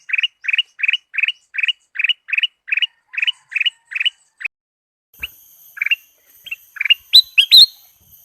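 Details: Kutilang Emas (sooty-headed bulbul) lure song, meant to provoke a kept bird into singing. About a dozen short chirped notes repeat in a steady series, then scattered chirps follow with a faint high whine.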